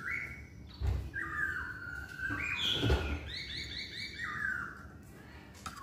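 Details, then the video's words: Masked laughingthrush singing actively: a series of clear, whistled notes sliding upward around mid pitch, some held and bending, repeated at irregular intervals over a low background hum with a few dull knocks. "Burung Poksay Hongkong Gacor"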